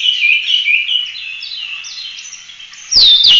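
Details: Oriental magpie-robin singing nonstop in 'full roll tembak' style, used as a master recording for tutoring other birds: a run of bright, looping whistled phrases, then two loud sharp notes with clicks near the end.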